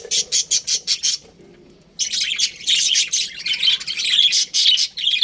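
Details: Budgerigars in a colony chirping: a run of six evenly spaced high squawky chirps, a brief lull, then a dense stream of twittering chatter.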